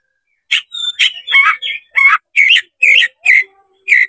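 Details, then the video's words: Oriental magpie-robin, provoked into fighting song by a rival spreading its tail, singing loud, varied whistled phrases: bright rising and falling notes, short chattering bursts and sharp chirps, repeated roughly twice a second with brief gaps. "MENCARI LAWAN TARUNG KACER CEPAT GACOR DALAM HITUNGAN MENIT DIPANCING KACER BUKA EKOR INI"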